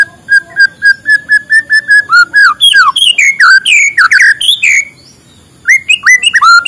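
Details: White-rumped shama singing in the morning, used to stimulate lazy shamas to sing: a run of about a dozen steady whistled notes repeated quickly, then a loud varied phrase of rising and falling whistles, a short pause, and more whistles.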